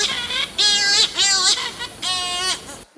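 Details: A shearwater, a bird of the open ocean, gives harsh, wavering, nasal calls in several drawn-out bursts, hardly melodious.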